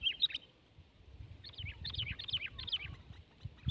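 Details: Sooty-headed bulbul, a 12-month bird facing off against a rival in a tense contest; a short whistled burst, then a string of four looping, falling whistled phrases.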